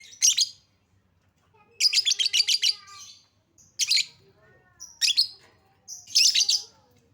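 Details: Lovebird lure recording meant to provoke silent lovebirds into singing: shrill, high chirp bursts in five clusters, some with rapid trilled pulses, separated by short quiet gaps, faint low hum underneath.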